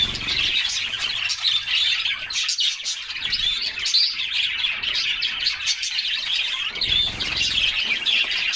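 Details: A flock of canaries singing while bathing on a summer day; loud, unbroken high warbling and rapid chirps overlap throughout, with occasional whistled notes and faint water splashing.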